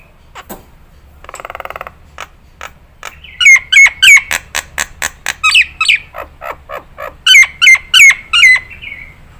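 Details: Nias hill myna song used as a training recording for other birds to copy: loud varied whistles, squawks and harsh notes, then a series of clear upslurred whistles repeated about every half second, with a rattling burst early on.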